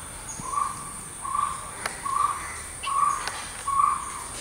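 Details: A jungle owlet, eating a big insect it caught, gives five short, even, mid-pitched hoots, roughly one every three-quarters of a second, over a steady high insect hiss and a few faint clicks.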